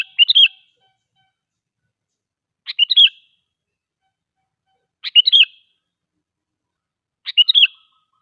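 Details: Sooty-headed bulbul song used to coax other bulbuls to sing and wild birds to approach; four short chirpy, liquid phrases repeated roughly every two and a half seconds, quiet background.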